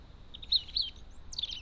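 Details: A crested tit at a garden bird feeder gives short, high, thin chirps and a brief trilled burst, over quiet background hiss.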